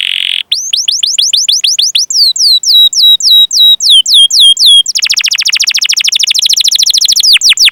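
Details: Canary long cuit-cuit rolling song used to prompt young or silent canaries: rising chirps, then looping descending whistles, and finally a fast dense trill lasting several seconds.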